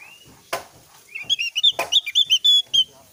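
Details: Javan grey-throated white-eye, used as a lure so birds in training sing in reply; a smooth whistle leads into a dense, fast string of bright, high chirps, punctuated by two sharp clicks.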